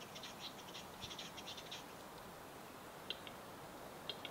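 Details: Spring lek of Western capercaillie in Finnish Lapland, 2022: a two-second rattle of quick clicks, then a pause and a few single sharp ticks over faint background hiss.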